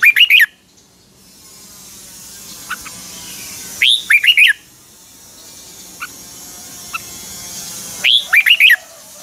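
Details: Red-whiskered bulbul from Pa La-u, Thailand, singing double-style songs: three short bursts of four to five bright, bouncing whistled notes, roughly every four seconds, with quiet background between.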